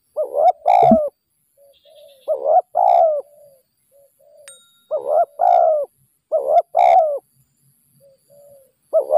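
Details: Wild spotted dove, noted for an unusual voice and aggressive toward a decoy bird during trapping, gives low mellow coo phrases. Each phrase is a soft lead-in followed by two stronger hooting notes, repeated roughly every two seconds against a quiet background.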